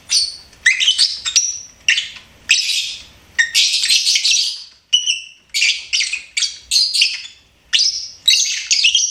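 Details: Lovebird kept as a pet singing and chirping, producing repeated bursts of rapid, high, scratchy twitters and squeaks, each under a second, with brief silences between them.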